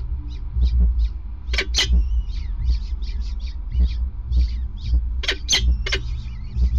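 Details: Peregrine falcons at a nest on an industrial gas site, male passing prey on a grate, 5 May 2019 at 20:54: harsh, rasping bursts mixed with short repeated chips and thin whistles, over a steady low rumble.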